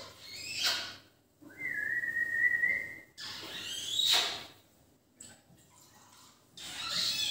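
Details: Indian ring-neck, the rose-ringed parakeet, makes rasping high screeches at irregular intervals, broken by a long, steady, level whistle lasting over a second.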